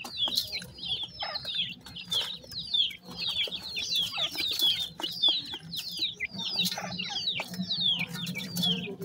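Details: Grey francolin chicks feeding together; lively high cheeping, quick falling notes tumbling over each other almost continuously, with soft background hum and occasional taps.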